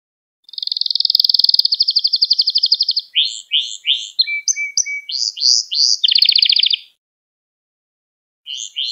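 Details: Lesson song of a canary for training young birds: a long rapid rattling trill, then varied high choppy notes over a thin steady whistle, another dense rolling trill, a pause, and a fresh burst of song.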